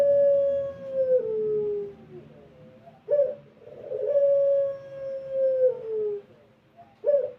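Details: Melodious pelung coo of a Barbary dove, played to lure doves into cooing: two long, smooth hooting notes, each gliding slightly downward, with a brief rising grunt after each one.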